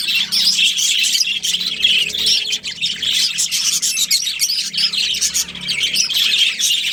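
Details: Crowded budgie colony with a breeding pair, heard as a lively, nonstop twitter of high warbles and quick chirps over a low mechanical hum.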